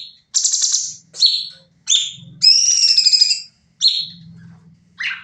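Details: Sooty-headed bulbul in a training recording, rapid 'nembak' singing: high chirps and buzzy notes, a drawn-out wavering whistle near the middle, with a faint low hum underneath.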